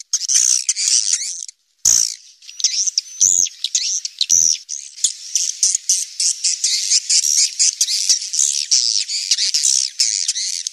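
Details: Swiftlet calls recorded in a cave: dense, rapid clicking chirps and buzzy twittering notes, high-pitched and nearly continuous, with brief gaps and a few low thumps.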